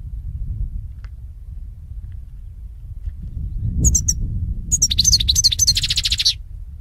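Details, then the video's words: European goldfinch used for song training: after a quiet stretch of low rumble, a few high chirps lead into a fast twittering run with a buzzy ending. "SAKA KUŞU HUYLANDIRMA"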